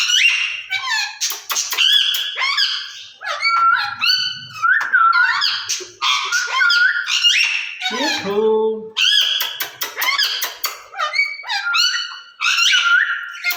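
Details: Two caged ringneck parakeets talking to each other in Urdu or Hindi. Continuous busy mix of squeaky syllables, shrill squawks and short whistled notes, with a lower descending voice-like phrase partway through.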